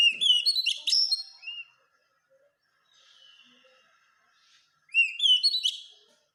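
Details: Two loud, tumbling whistled phrases from an Oriental magpie-robin, a masteran meant to make caged birds sing eagerly, with mixed slurred and chattering notes, parted by a near-silent gap with faint warbles.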